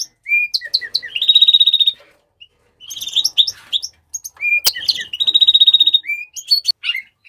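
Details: Warbling house finch song delivered in two phrases, each mixing clear slurred whistles and chirps with a long harsh buzzy trill of fast repeated notes, separated by a short pause.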